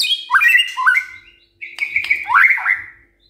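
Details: Singing white-rumped shama in the morning, intended to make other birds respond: two rich whistled phrases with upward flicks, a short gap, then a buzzy sustained note and tumbling warble; soft background hum.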